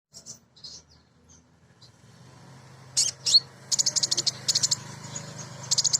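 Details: Female Van Hasselt's sunbird (kolibri ninja), a lively singing hen used as a lure to make other birds sing. After quiet opening chirps, high, thin chirps come in bursts, some rapid chattering trills.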